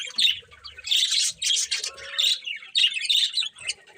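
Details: Birds chirping in the morning: dense, high bright chirps and squawky notes in bursts, with short pauses between clusters and a faint low murmur underneath.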